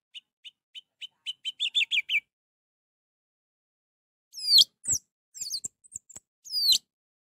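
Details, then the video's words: Song of an orange-headed thrush, used to coax a silent bird: about eight short notes repeated faster and louder into a trill, a gap, then sharp descending swept whistles. "Untuk memancing Anis merah yang malas bunyi"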